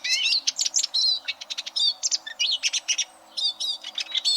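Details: Eurasian siskin song used for tutoring competition canaries: a fast run of high, twittering notes with buzzy trills and short whistled slurs, steady and busy with brief pauses, no other sounds.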